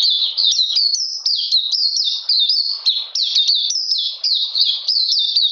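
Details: Oriental magpie-robin, recorded 13 June 2020 during cold rainy weather, delivering rapid high whistles with sharp upward flicks and falling slurs, phrases tumbling together almost without pause.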